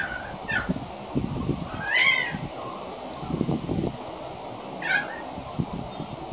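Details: A young pied currawong practises singing with three separated, wavering whistled notes, the middle one loudest and most complex, above a background of bumps and rustling.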